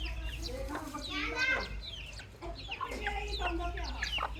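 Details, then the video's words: Baby chicks chirping in a crowd, sharp, high, downward cheeps mixed with lower, chattering, harmonic notes, a brief lull near the middle before calling resumes. "Nature Audio Featuring Cute Little Baby Chicks"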